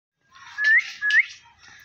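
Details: Three parrots vocalizing together: two loud, clear whistles rising in pitch at the end, each about a fifth of a second long, set within softer, noisy chattering.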